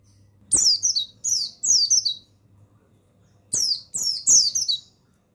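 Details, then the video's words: Male mountain white-eye of the buxtoni type, used as a master recording to stimulate other white-eyes to sing: two clusters of thin, high, rapid twittering bursts, each sliding downward, with a faint low hum beneath. "Begini Suara Pemasteran yang Untuk Pleci Bustomi"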